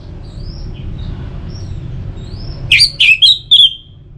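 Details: Orange-headed thrush held in a cage in Bali, used to encourage singing; faint thin whistles, then four sharp, loud, downslurred chirps in quick succession.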